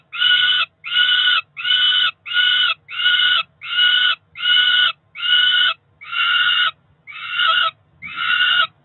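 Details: Peregrine falcon chicks about four weeks old, two ringed nestlings at a nest in Cromer, England, begging at breakfast time in June; loud harsh wailing calls repeated in a steady series about once per second, each call lasting roughly half a second, with a low background hum.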